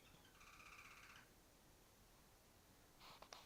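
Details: Female canary perched on top of the farthest cage, singing with chirping sounds: a held, whistled note with bright overtones for under a second, then silence before a short burst of sharp chirps near the end.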